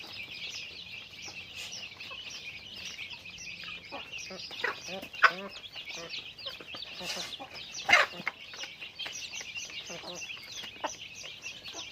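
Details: Chickens in everyday activity: constant high-pitched flock chatter with irregular clucks, a few louder bursts near the middle, and a faint low hum early on.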